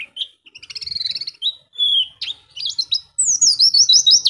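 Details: Oriental white-eye building a ngeplong song, starting with soft rapid ticking notes that swell, then single sliding whistles, ending in a bright, fast, high warble.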